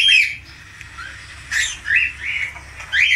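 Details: Falk budgerigar uttering short squawky chirps and scratchy warbled notes in irregular bursts, with softer gaps between.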